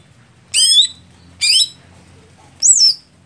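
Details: Cucak hijau setting for contests when the bird is slow to warm up: two layered descending whistled notes followed by a single sharp high down-slurred whistle, within three seconds.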